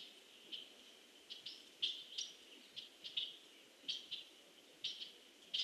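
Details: Titmouse in a tree eating seed gives short, high, sharp chip notes, singly or in quick pairs, about two a second at irregular intervals over a faint steady hiss, recorded 2015-11-02 at 16:10.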